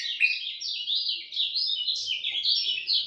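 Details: At dawn, a lemon-bellied white-eye pours out a quick, unbroken string of high chirping and twittering notes, bright and slightly rising in places, in a quiet setting.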